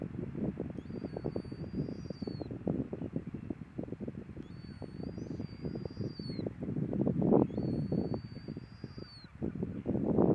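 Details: Adult Caspian tern (taranui), with its juvenile at Waikanae estuary, gives three thin, high, drawn-out whistles, each about two seconds long and dipping at the end, spaced roughly four seconds apart over a steady wind rumble.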